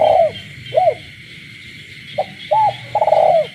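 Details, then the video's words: Spotted dove held in captivity coos at night amid countryside frog calls, ending one phrase with a long trill, then starting again with a short note, an arched coo and another long rolling coo. "cu gáy trong đêm, cu nuôi avi gáy ban đêm hòa cùng tiếng ếch nhái đậm chất làng quê"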